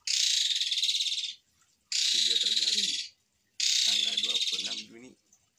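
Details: Jalak suren, the Asian pied starling, singing eagerly on a masteran recording full of long coarse 'tembakan' phrases: three rasping, buzzy bursts about 1.3 seconds long, with softer low chattering notes beneath the second and third.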